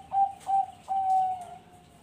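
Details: A farm-bred Zebra dove (perkutut bangkok) from Bekasi, West Java, sings: two short soft hoots, then a longer drawn-out note, all on a steady mid pitch.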